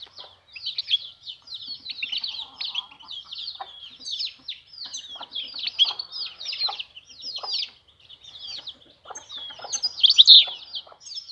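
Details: European goldfinch called vanlı melik in spring, singing a long unbroken stream of rapid liquid twitters, trills and buzzy chips that swells louder near the end.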